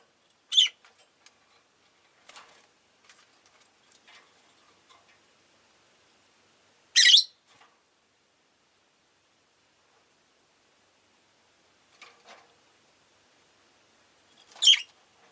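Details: Several pet Rosy-faced lovebirds, all calling fairly often that day: four sharp, shrill, high chirps spaced a few seconds apart, with fainter short chirps between and long quiet gaps.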